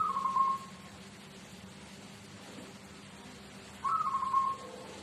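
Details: Zebra dove, a local bird from Tuban, performing its "seruling sakti" song rhythm: two rippling, bubbling coo phrases of about half a second each, roughly three and a half seconds apart, with a faint constant hum behind.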